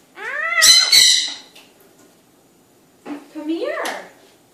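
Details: Eclectus parrot kept as a pet, talking indoors in the evening: rising, speech-like harmonic phrases broken by two loud, harsh squawks, then a pause and a shorter falling, wavering utterance.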